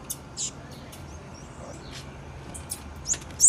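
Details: High, sharp chip notes from a female blue-black grassquit, scattered irregularly and loudest toward the end, with faint low hum underneath.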